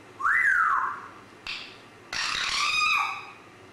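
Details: Grey parrot giving a rising-falling whistle, then a short harsh note and a longer loud squawky call with a level tone and a falling end.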